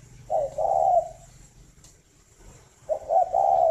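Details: {'caption': 'Spotted dove, breeding stock at a bird farm near Hanoi in Vietnam. It gives low, mellow coos: one phrase of a short note then a long hooting one, a pause, then another phrase starting with stuttered notes.'}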